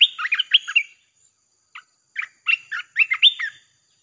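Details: A red-whiskered bulbul sings in a recording used to call in wild birds, two rapid phrases of cheerful whistled chirps separated by a brief gap, the notes slurring up and down, clear and close.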